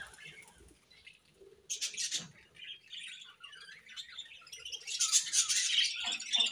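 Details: Budgerigars chirping in the morning, quiet scattered twitters giving way to louder buzzy bursts and, near the end, a dense fast warbling chatter.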